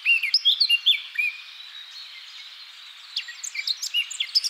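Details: Eurasian blackcap (Sylvia atricapilla), song.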